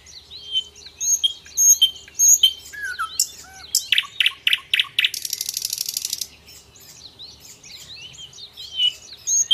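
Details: Common nightingale song used as a tutor recording for training other birds: varied whistled phrases, a falling slur, then four loud repeated chopping notes and a dry buzzy rattle, with faint chirps from other birds behind.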